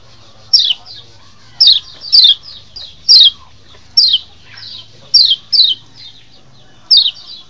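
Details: Wild-bird lure of a Lombok white-eye mating call: bright, high chirps dropping in pitch, given singly or in quick pairs with gaps of about a second, soft chatter in between.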